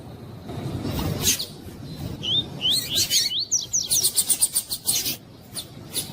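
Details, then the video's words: Double-collared seedeater (coleiro) in the "tui tui" song style used for training captive birds: a burst of rising and falling whistled notes mixed with sharp broadband clicks and rustling noise. "MELHOR CANTO DE COLEIRO TUI TUI PARA ENCARTE DE COLEIRO TUI TUI COM ESQUENTAR COLEIRO TUI TUI"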